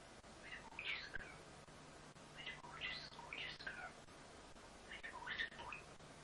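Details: Caged-pet common starling from New Zealand that imitates human words utters three grouped bursts of voice-like, throaty babbling syllables with rising and falling tones, separated by short pauses, against soft room hum.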